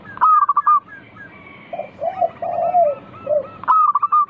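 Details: Local zebra dove in full, frequent song, recorded as a lure to make other doves sing: a burst of quick staccato coos opens and closes the phrase, with softer, lower rolling coos in between.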